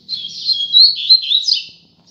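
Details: Double-collared seedeater song at dawn: one continuous, bright, high-pitched twittering phrase of rapid slurred notes lasting under two seconds, rising in intensity midway.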